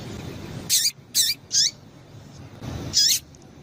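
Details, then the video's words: Female Double-collared seedeater call used to stir up males: four short, high, slurred chip notes spaced irregularly over about three seconds, over a faint low rumble. "Piado de Fêmea de Coleiro para Esquentar Coleiro"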